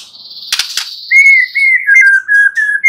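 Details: White-rumped shama: a short burst of hiss and clicks, then a string of pure, steady whistled notes at an even pitch, gently sliding down and back up.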